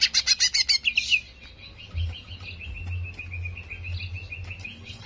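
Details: Greater green leafbird, a recording played to quickly raise the bird's aggression: an opening of loud, rapid scratchy bursts, then a long run of quick repeated whistled notes at an even pitch over low background rumble.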